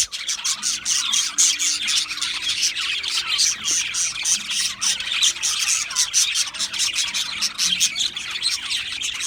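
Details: A group of budgerigars chirping: rhythmic, rapid high chirps and grating warbles repeating in quick pulses, overlapping voices filling the whole stretch.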